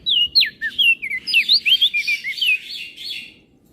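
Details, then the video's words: Crested white-eye of Flores, master recording in 'gacor isian' style for training birds: a continuous, fast warbling run of linked high whistles and chirps over soft low noise. "Burung Opior Jambul Flores Gacor Isian"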